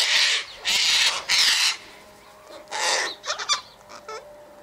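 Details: Three loud rasping screeches from a sulphur-crested cockatoo feeding on seeds and wheat at an eastern gate, followed by a longer squawk and quieter, more tonal bird calls at the end.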